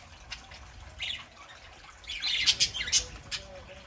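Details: Pet parakeets on a Saturday morning, quiet at first, then a rapid burst of scratchy warbled notes and squeaks.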